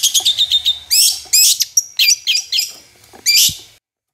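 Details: Long-tailed shrike song, played to coax shrikes that rarely sing into replying: quick chirps, then loud broad rasping bursts mixed with sliding high notes, ending abruptly.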